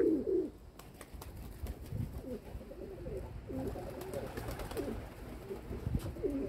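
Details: Domestic pigeons: a brief, louder coo at the start, then muted, rippling coos through the middle and at the end, with clicks and low noise.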